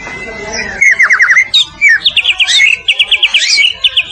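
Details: Medan-type white-rumped shama used as a training recording for other birds, in loud continuous song: a long steady whistle, then quick repeated chipping trills and sharp rising and falling notes, all in bright high pitch.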